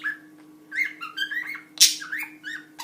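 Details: A pet budgerigar, kept with a cockatiel and said to chatter nonstop like ten birds, keeps up a fast, varied warble of short whistles, chirps and squeaky rising notes, with one sharp click, over a faint steady hum.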